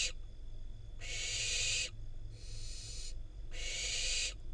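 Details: Barn owl fledgling in the wild in Israel, fed a rodent by its parents; three drawn-out airy screeching hisses with a low background rumble.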